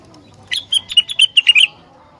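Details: Singing rengganis, its song said to trigger replies from other rengganis: seven or eight crisp, high chirps delivered rapidly in just over a second, with a quiet background.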